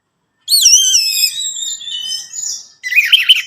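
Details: Orange-headed thrush song, played to make a captive bird sing: a long sweet wavering whistled phrase with rich layered tones, followed by a short burst of rough chattering.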